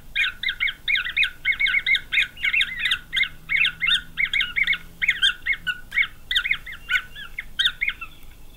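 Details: Green wood hoopoe chicks in a nest box in Pretoria, South Africa, November 2023, growing fast: dense rasping squawks between about 1 and 4k, chattering almost nonstop, roughly 86 pulses a minute, with faint clicks and a low hum behind.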